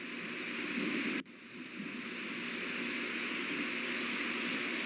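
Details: Steady rushing wind and water-like noise with a brief dropout just after one second; no animal voices can be picked out.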